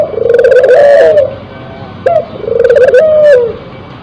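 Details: Cooing of a spotted dove in breeding condition: a long, tremulous low coo, then a short sharp note and another drawn-out wavering coo, close and clear.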